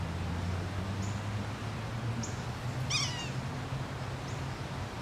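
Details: Yellow-bellied sapsucker (Sphyrapicus varius) calling repeatedly at Taylor Arboretum, Nether Providence Township, Pennsylvania: one nasal, catlike mewing call slurring downward, with fainter high notes around it, over a steady low rumble.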